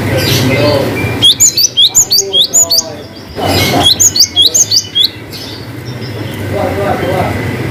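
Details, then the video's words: Cinereous tit's long 'wucit' song with variations, meant to stir quiet birds: two short rapid runs of high, hooked whistles, with rushing noise before, between and after them. "GELATIK BATU GACOR WUCIT PANJANG ngalas Variasi"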